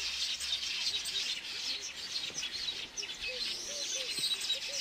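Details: Weaver bird building a nest amid a dense, continuous high chattering and twittering of many birds, with soft low arched notes repeating underneath.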